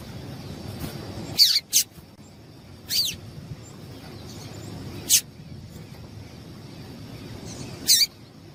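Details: Female double-collared seedeater calling, used to excite and warm up males for singing: short, sharp descending chip notes, one or two at a time at irregular gaps of one to three seconds, over a steady low hum.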